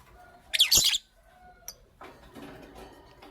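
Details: Pet lovebirds, a green Fischeri and a pastel blue, in the morning: one long, loud, raspy screech lasting about half a second, then a brief high note and soft rustling.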